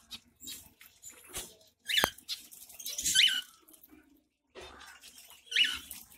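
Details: Zebra finch bathing in Pondicherry in summer, giving three short nasal, harmonic-rich calls spaced about a second apart. Quieter rustling and splashing-like noises fill the gaps.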